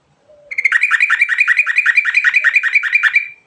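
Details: Yellow-vented bulbul singing vigorously in the rolling ngerol style with varied fill notes: one unbroken run of about seventeen fast, chattering, stuttered notes over roughly three seconds, preceded by a faint low whistle.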